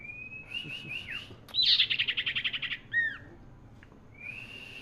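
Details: Common iora singing actively: a few whistled rising notes, then a loud fast buzzy rattle of about ten notes, two downslurred whistles, and a final rising whistle.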